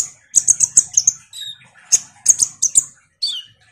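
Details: Konin (kolibri ninja sunbird) singing actively, used as a lure to spur a lazy kolibri ninja into singing: a fast run of sharp, very high chirps, a pause, then another burst ending in a falling whistled note.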